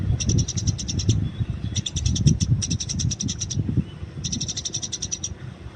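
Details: Free-living Eurasian tree sparrow used as a training recording: four quick runs of sharp chirps, each lasting about a second, with gaps between, set against a low rumbling outdoor background.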